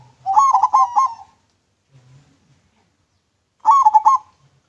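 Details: Clear-voiced local zebra dove song used as a lure: two bursts of fast, bubbling, stuttering coos about three seconds apart, with faint low murmurs between.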